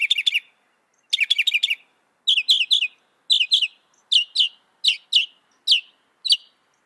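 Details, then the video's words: Northern mockingbird, a mimic said to copy 200 sounds, singing clean high chirped phrases: a rapid burst repeated twice, then paired sharp notes repeated in rhythm about every 0.7 seconds, with no background noise. "Masteran suara burung NORTHERN MOCKINGBIRE bisa merekam 200 suara"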